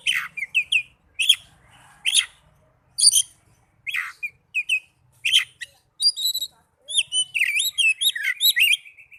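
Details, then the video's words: Oriental magpie-robin lure song for caged birds that sing too little: sharp chips repeated roughly every half to one second, building into a fast, rich flow of varied whistled notes at the end. "Pancingan burung kacer agar cepat gacor"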